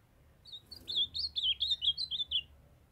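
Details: A kept ultramarine grosbeak, young male singing to a calling female, gives one rich warbling phrase of around ten sweet slurred notes, each rising and falling, spanning two seconds in a quiet room.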